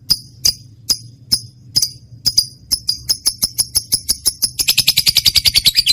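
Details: Trained lovebird heard for luring other pet birds to sing: spaced, sharp, ticking high notes that speed up, ending in a rapid run of shrill chirps.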